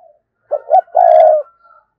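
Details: Provoking lure call of a spotted dove: a pair of quick hollow notes leads into one long, even, throaty coo, and a faint murmur follows.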